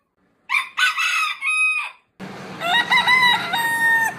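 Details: Morning rooster crowing: a short rough crow broken into three pulses, then a second, longer crow with wavering notes over a low background rumble.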